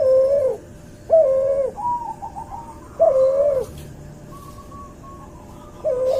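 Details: Barbary dove bred from a white albino dove and a pelung dove, recorded as a tutor track: short low coos separated by higher, softer wavering notes, with faint rustling in the background.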